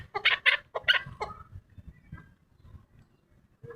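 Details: Chukar partridge giving a few loud, harsh clucking notes in quick succession. They fade into scattered softer sounds and low background rumble.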